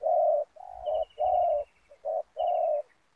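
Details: Spotted dove used as a ground decoy with snares to draw in wild doves; loud, husky coos, one long, a lower drawn note, then shorter ones, over a high thin descending trill and low thumping.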